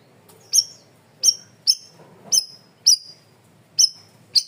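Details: Cream-vented bulbul in a loud, clear masteran training recording: seven sharp, high, slightly descending chirps with a harsh edge, spaced about half a second to a second apart, over a faint low rumble.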